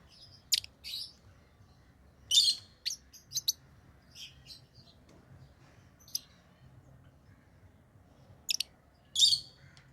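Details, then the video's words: Pet lovebirds chirping in short shrill bursts: sharp high squeaks and harsh calls in irregular clusters, loudest around the second and ninth seconds, with a faint steady hum beneath. "Love birds Sounds | lovebirds chirping sounds| parrot beautiful sounds"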